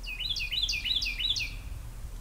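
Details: Newly hatched brown thrasher babies, five in the brood, recorded 5/2/20 at 2:38 pm, give a continuous tumble of high, overlapping chirps and squeaks throughout, with a low rumble underneath.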